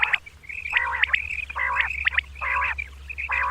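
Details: Female common quail calling at dawn: nasal, harmonic bursts repeated about every 0.8 seconds, interleaved with sharp high chirps and a thin steady high tone in the background.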